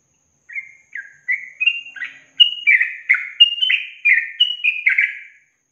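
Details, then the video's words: Long-trill song of a yellow-vented bulbul, quiet whistled notes at first, growing into a loud fast sequence of bubbly, up-and-down chirps before ending abruptly. "Masteran Trucukan Ropel Panjang Garuda Tembakan"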